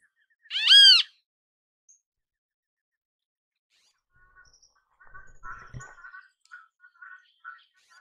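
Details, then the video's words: ['Great kiskadee in natural habitat giving one loud harsh arched note, followed after a pause by a low tap and quieter, repeated mid-pitched chattering from other birds.'] "Grande Canção Kiskadee! Grande Canto Kiskadee! Ótimos sons de Kiskadee! Grande Chamada Kiskadee!"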